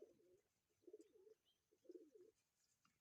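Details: Pigeon giving a mating call: low, throaty cooing in three bursts about a second apart, each a soft rolling double coo, over faint hiss.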